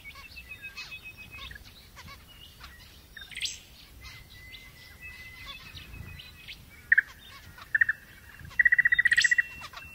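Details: An Australian Zebra finch gives loud nasal beeping notes, ending in a quick chattering run.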